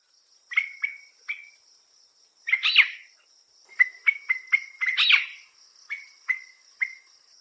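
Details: Rollicking call of the Sri Lanka Spurfowl, a forest bird found in pairs: spaced piping notes, a harsher rising burst, a quick piping run, then a final louder flourish and a few trailing notes, over a faint constant high whine.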